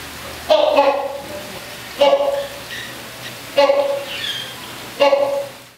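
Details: Rhinoceros hornbill calling at Milwaukee Zoo, held captive: four loud, nasal honking calls at roughly one-and-a-half-second intervals, each a short harsh note with a lower tail, over faint indoor background noise.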